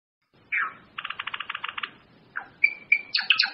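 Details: Grey-form Java sparrow singing: a short buzzy note, then a run of about ten rapid even clicks, a soft slurred note, and clear ringing whistles that build into a dense jumble of high bell-like notes at the end.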